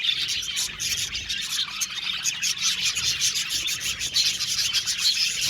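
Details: An aviary budgie colony makes raspy, scratchy high chatter mixed with quick clicking chirps, forming a dense, unbroken wash of sound.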